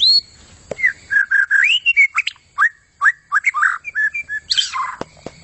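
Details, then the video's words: Vigorously singing long-tailed white-rumped shama, opening on a high pure whistle, then running through varied short, rich whistled notes and chips, closing with a rough, buzzy downslurred phrase and a few clicks. "Inilah aksi gacor super maut dari murai buntut panjang"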